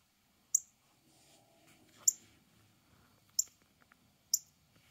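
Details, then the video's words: Mate call of a male Northern cardinal: four bright, sharp chip notes at uneven gaps of one to one and a half seconds, high and clipped, with faint murmuring background noise between them. "The male Cardinal's mate call"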